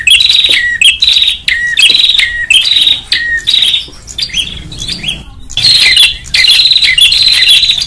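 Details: Lure recording of a noisy prinia: harsh trilled buzzes repeated about every half second, each ending in a short downslurred whistle, with a quieter stretch mid-clip before loud buzzing returns.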